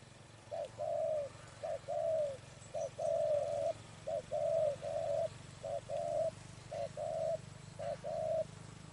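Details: Spotted dove calling near a trap, giving a long run of paired coos, short note then longer hoot, repeated roughly once a second with steady rhythm over faint low background hum.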